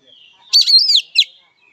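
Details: Oriental magpie-robin (kacer) fighting song: a single bright, arching whistled phrase followed by a short sharp note.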